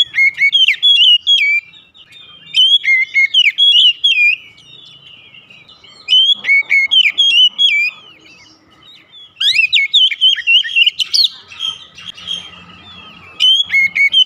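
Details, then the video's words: Kacer, the Oriental magpie-robin, in morning song: bursts of rich whistled and chattering phrases, each about two seconds long, repeated after short quiet gaps, with a few softer notes between them. "TERAPI OCEHAN KACER DI PAGI HARI"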